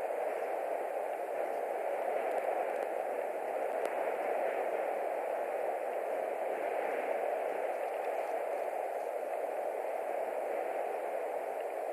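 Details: Only a steady hiss of static-like noise is heard throughout, with no animal calls.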